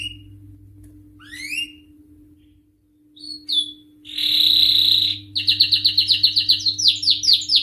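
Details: Excited male canary singing: a few scattered rising chirps, then a sustained bright buzzy note, breaking into a quick rhythmic rolling trill of repeated high syllables, with a faint constant low hum underneath.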